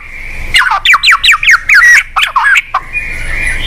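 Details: White-rumped shama song played to coax a silent bird into singing: a rapid series of slurred, down-swept whistled notes, followed by a few twisting phrases and a faint high tone. A low hum runs underneath.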